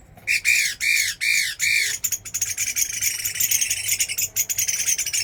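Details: Chinese hwamei in a fighting-bird trial: four slurred, arching whistles repeated in quick succession, followed by a rapid, scratchy stream of chattering notes.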